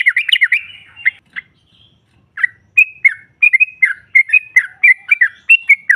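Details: Female yellow-vented bulbul used to provoke rival birds: an opening tangle of slurred chirps, a short gap, then a steady string of clear, twisting whistled notes spaced unevenly.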